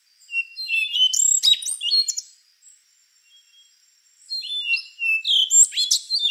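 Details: Rufous-brown solitaire, an endangered thrush, singing: thin high whistled notes followed by bursts of rapid, tumbling, squeaky warbled phrases with sharp slurred upswept notes, two bursts separated by a quiet pause.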